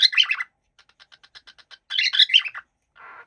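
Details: Happy cockatiel chattering: harsh, buzzy squawking bursts separated by a string of soft rapid clicks, ending with a rough, lower grating note.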